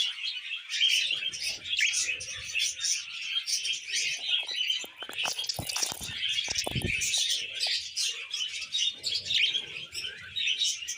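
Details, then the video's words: Pet budgerigar pair singing on a hand, an energetic run of twittering, clicking and squeaky notes with faint handling noises in the middle. "Budgie Couple Singing on Hand"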